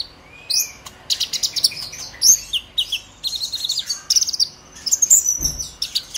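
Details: Dense, shrill twittering from a young purple-throated sunbird, brown-breasted and newly past its spotted plumage, in the emotional 'ngobra emosi' chatter style meant to prompt other young sunbirds to sing; notes tumble continuously at high pitch.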